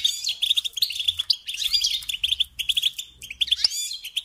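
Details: Steady goldfinch song indoors, a rapid chattering stream of high twitters mixed with buzzy rising slides and metallic tinkling notes, one sharp click near the end.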